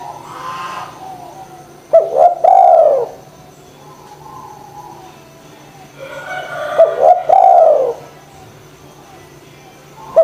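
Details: Spotted dove singing energetically, offered as a lure to get silent doves calling: two phrases about five seconds apart, each short staccato notes swelling into a long falling coo, with low muffled background murmur and steady hum.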